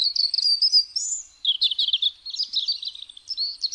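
A European robin sings a high, liquid warble of quick, varied phrases, some thin and sliding, others tumbling and twittery, with brief pauses between. No other sounds intrude.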